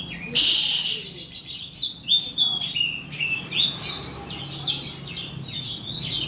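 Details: Oriental magpie-robin singing in a lure recording meant to make birds sing. A loud harsh burst opens, then rapid varied whistles and sharp chirps follow in uneven bursts. A faint low hum runs beneath.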